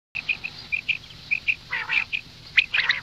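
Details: Female common quail calling: a run of short, high clipped notes repeated about three times a second, broken by a couple of rougher, harsh raspy bursts.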